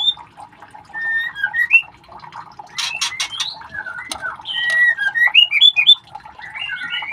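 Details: White-rumped shama chicks calling while being ringed: short rising and falling whistled chirps and squawks in irregular bursts, with a few sharp clicks and a steady low hum behind.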